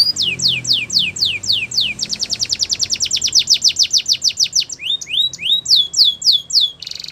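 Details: Spanish Timbrado canary sings a training song: spaced falling whistles, then a quick rattling series of high notes, rising slides, slower downward sweeps and a closing buzzy trill.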